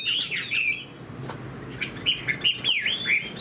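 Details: Caged fan-tailed Chinese hwamei gives a short warbled burst, falls silent for about a second, then resumes with separate whistled notes, one a deep V-shaped swoop.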